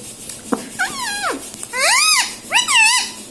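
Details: Household parrot talking, saying words like mummy: three drawn-out, nasal, arching syllables that rise and fall, growing louder, the last with a wavy tail, after a soft click.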